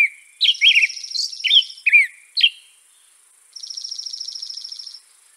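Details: European robin (Erithacus rubecula) song of a few quick, high, twisting whistles lasting about two seconds, followed by silence and then a thin, rapid buzzing trill.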